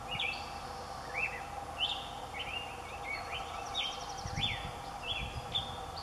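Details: An adult male Black-headed Grosbeak sings from a tall willow over Moraga Creek, Moraga, California, on April 29, 2016. The song is a run of rich, slurred whistled notes in rising and falling warbling phrases over a steady hiss.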